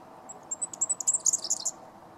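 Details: Female Superb Fairy-wren giving a quick string of very high, thin, tinkling chips. They grow louder and denser, then stop after about a second and a half.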